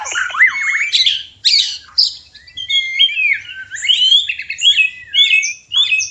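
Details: Caged white-rumped shama (murai batu) song used to bring birds into breeding condition: a rapid, varied run of high whistles, chirps and rising slurred notes, broken by short pauses.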